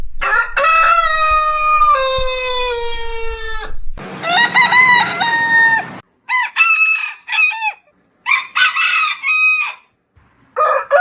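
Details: Several rooster crows from a compilation of heritage breeds follow one another with short gaps. A long, falling, harmonic crow opens, then choppy, broken crows come in bursts, with a low rumble underneath.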